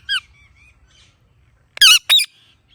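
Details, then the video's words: Ringneck parrot with one brief high chirp, then after a pause two loud harsh squawks in quick succession. "Ringneck Parrot Natural Chirping Sounds"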